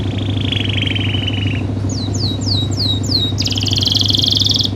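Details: Canary in full 'gacor' song, used as a tutor and prompt for other canaries: a long buzzy trill, then a run of five falling whistled slurs, then a dense high rattling roll, over a steady low engine-like hum.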